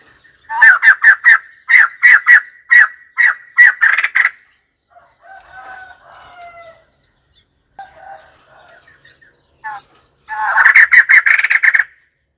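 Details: White-crested laughingthrush producing bursts of loud, harsh, rhythmic chattering in repeated groups, quieter softer notes in a lull midway, then another intense rapid chorus of rattling calls near the end.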